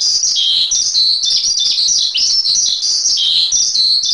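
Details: Javan pied starling, used as a tutor recording for training songbirds: a dense, unbroken stream of high, bright chattering and whistled phrases, with short notes rising and falling without pause.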